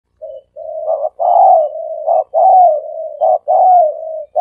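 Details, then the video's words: A dove (นกเขาสามกุก) coos in soft, low, rolling phrases joined by brief rising notes, repeated about every second; the recording is presented as a decoy call for luring doves quickly. "เสียงนกเขาสามกุก เสียงนกเขา เสียงนกเขาใช้สำหรับต่อ"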